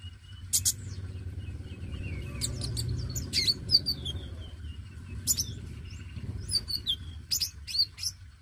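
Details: Singing oriental magpie-robin, dacok type, used as a lure for newly caught young birds. Scattered sharp high chips and thin whistled slides in irregular bursts over a rumbling low background noise that fades midway.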